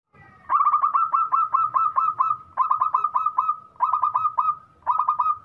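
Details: Local zebra dove singing actively with a big voice: quick bursts of five to eight rolling, staccato cooing notes, each phrase about a second long, repeated almost without pause, over a steady faint whine and low rumble.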